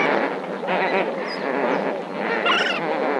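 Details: Lesser flamingos at Marievale calling as a flock, a dense continuous babble of overlapping nasal, murmuring notes with a few higher squeaky calls rising above the steady chatter.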